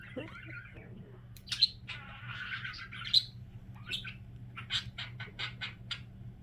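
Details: Pet budgerigar voicing its signature sound among other kept budgies: a long buzzy, grating note, two sharp clicks, then a run of rapid evenly spaced chirps near the end; low hum in the room.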